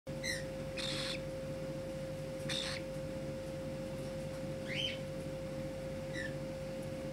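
A cockatiel gives a few short, harmonic chirps and one rising whistled note over a steady electrical hum.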